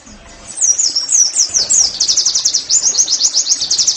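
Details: High, thin song of an Oriental white-eye, played to get caged birds singing: slurred whistled notes give way to a rapid, evenly pulsed chatter of repeated high notes.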